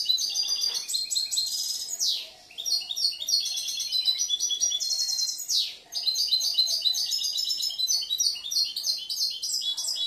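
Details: Caged European goldfinch, a young bird from last year, singing a varied, mixing and composing song: long runs of rapid high tinkling and buzzy notes, broken by two sharp downward sweeps.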